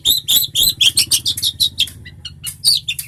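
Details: Long-tailed shrike singing steadily for bird tutoring: bursts of loud scratchy, high chattering notes in uneven groups, interspersed with brief thin whistles, over a faint low hum.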